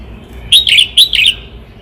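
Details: A red-whiskered bulbul from Cao Bằng gives a rapid phrase of four ringing, slightly burry chirps grouped in pairs, loud and close against a soft background hum.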